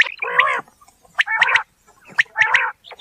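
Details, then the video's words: Quail calling in a natural setting, described as its rising sound: three harsh, buzzy, layered bursts about a second apart, each opened by a sharp high click, with silence between. "Batair ki Awaz | Quail Sound | बटेर लावा बटेर | صوت السلوى الصاعد | Bildirçin Yüksələn Səsi"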